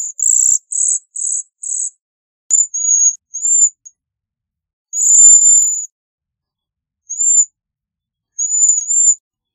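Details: Bohemian waxwing: four quick buzzy, trilled bursts in a row, then one longer sizzling trill and a few thin, high, arched whistles. The background is silent.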